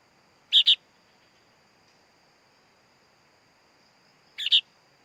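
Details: Baby sooty-headed bulbul giving two scratchy double-noted calls about four seconds apart, quieter than before, over a thin continuous hum.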